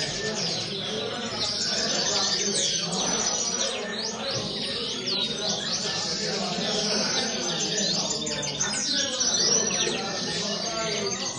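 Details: Common linnets chattering in song: quick, repeated high chirps and down-swooping notes running almost without pause, set against a low, muffled background murmur.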